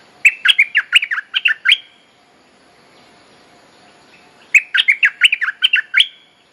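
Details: Bulbul mate-calling song, played as a lure to train young birds: two rapid bursts of about eight bubbly chirped notes each, separated by a pause of nearly three seconds.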